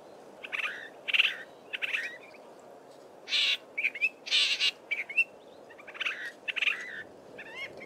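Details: Southern fiscal male singing in Belmont Valley, Eastern Cape, copying local birds; a loose series of buzzy rasps and quick chirping whistles, some notes softer and more distant-sounding, with gaps between bursts.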